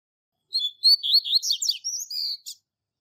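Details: Tui Tui Zel Zel classic song from a master double-collared seedeater for teaching young birds: about two seconds of high clear whistles, twisting slurs and quick buzzy descending notes, ending with a short note.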